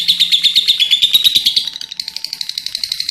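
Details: Lovebird in lively, full-voiced form giving a long chattering run: rapid high, sharp chirps, many per second, first as a dense buzzy stream, then as a steady series of clipped notes.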